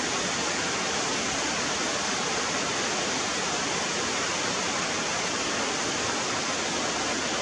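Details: Loud, even roar of rushing water like a waterfall fills the whole recording, with no animal sounds.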